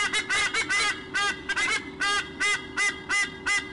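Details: During a nest exchange, white-bellied sea eagles on a nest camera honk repeatedly: clipped, nasal squonk notes spaced roughly every third of a second, some doubled, with a low electrical-sounding drone behind.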